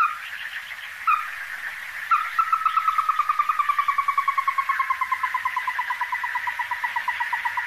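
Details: Ruddy-breasted crake, a resident Taiwan endemic subspecies, at the Donggang River in Taiwan on 14 December 2023: a few sharp isolated notes, then a long, fast trill of clipped notes that gradually slows and drops in pitch.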